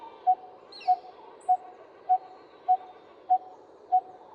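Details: A Coppersmith Barbet in Mumbai (Bombay), India, named for its 'tuk, tuk' call, repeats a hollow, mid-pitched 'tuk' about every 0.6 seconds, seven notes steady as a metronome; a faint high chirp from another bird comes in early.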